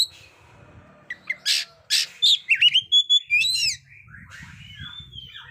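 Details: Lively kacer (Oriental magpie-robin) song meant to set off still-silent young birds: after a soft start, loud bursts and rising slurred whistles come from the second second on, fading to a quiet warble over a low hum.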